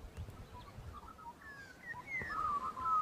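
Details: Bluebonnet parrot in Australia: clear whistled notes near mid pitch, some sliding down and others rising, growing louder toward the end over a low background rumble.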